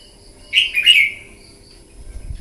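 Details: Morning contest singing from a newly wild-caught red-whiskered bulbul: a brisk phrase of three or four clear whistled notes run together, slurring downward, about half a second long, followed by quiet with low rumbling.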